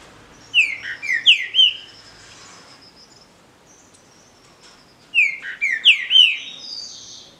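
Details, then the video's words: Green-winged saltator in a song dispute, two phrases of rich slurred whistles dropping in pitch, roughly five seconds apart, with faint high trills and chirps between them. "DISPUTA DE CANTO (TRINCA FERRO)"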